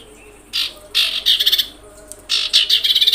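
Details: Common iora sound played to provoke other ioras: harsh, raspy, high chattering bursts, some stuttering in quick pulses, repeated in short groups.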